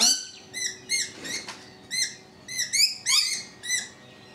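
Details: Rainbow lorikeets on a balcony make quick, high, squeaky chirps and twittering notes, repeated several times a second in lively irregular bursts.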